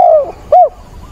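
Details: Spotted dove used as a decoy, calling through a storm with rain on 28 October; one drawn-out descending coo, a brief pause, then a shorter rising-and-falling coo over faint rain noise.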